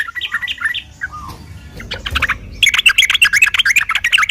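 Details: Fighting song of a sooty-headed bulbul, played as a lure so other birds respond in rapid reply: broken chattering phrases and a short downslurred note, then a sustained fast burst of bright, tumbling notes.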